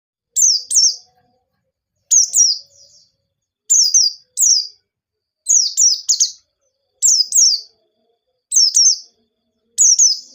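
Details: White-eye singing a lively, high song used as a lure to get other birds singing: bursts of sharp, downslurred chirps in twos and threes, each burst starting with a bright click, repeated roughly every one to two seconds against a quiet background.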